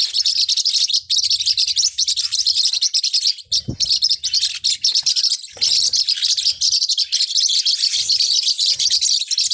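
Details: Continuous high twittering of Forpus parrotlets, many quick overlapping chirps, briefly dipping around the middle before resuming at full strength.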